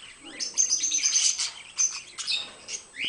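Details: Two pet budgerigars, recorded in 2010, chattering in a fast, scratchy stream of high chirps and warbled notes with short pauses, ending on a brief rising squeak.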